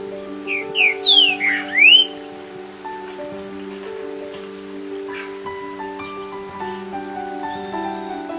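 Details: A Green-winged Saltator gives a brief, loud phrase of four or five rich, sweeping whistled notes over about two seconds, over steady background music; males sing from treetops to mark territory and attract females.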